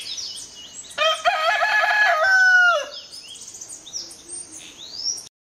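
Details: Black Nunbird filmed close up at Las Trincheras on the Rio Caura, Venezuela: a loud burst of harsh, harmonic-rich notes lasting about two seconds, ending in a falling slur, followed by quieter high thin chirps from other birds.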